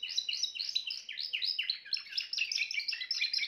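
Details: Timbrado canary singing evenly spaced trilled phrases, each a quick descending chirp, repeated several times a second and growing denser toward the end.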